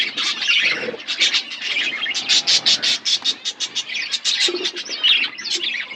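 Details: Several pet budgies chirping while eating food: dense, rapid chatter of short buzzy chirps and warbles, with bursts of clicky notes crowding together in a continuous flock sound.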